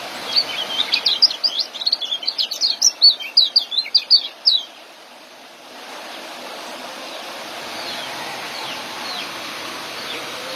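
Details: Young white-eye singing in the ngeriwik and joss styles, used for training caged birds: a rapid run of high, sharp chirping and twittering notes for about five seconds, then a steady rushing background noise with faint distant notes.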